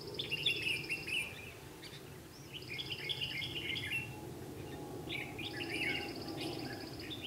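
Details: Red-whiskered bulbul, white-cheeked Ché style, singing as a decoy at a trap on 12 August 2016 to lure wild birds; rapid jumbled warbles and chirps run in two long bursts over a continuous low background drone.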